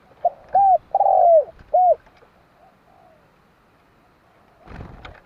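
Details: Spotted dove giving a low, mellow cooing phrase: a soft lead-in note, two short hoots, a longer drawn-out coo, then a final hoot, followed by faint trailing coos and a brief rustling thump near the end.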